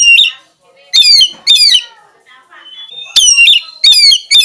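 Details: Oriental magpie-robin song: loud, harsh, rich-toned notes in short bursts of two or three, separated by pauses with faint softer chatter between.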